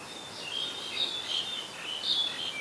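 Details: Black-collared starling in Ubon Ratchathani, Thailand, 10 November 2021, giving soft, thin whistles and short squeaky chirps at a steady high pitch, fairly quiet against a light background hiss.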